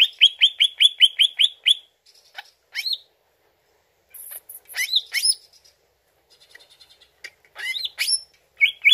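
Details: Greater green leafbird (Chloropsis sonnerati), song: lure to make the bird answer.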